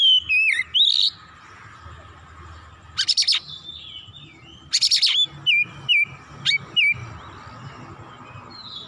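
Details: Oriental magpie-robin (kacer), heated and agitated, singing its full repertoire: slurred whistled phrases, two harsh rasping bursts separated by quiet gaps, then a series of short downslurred whistles.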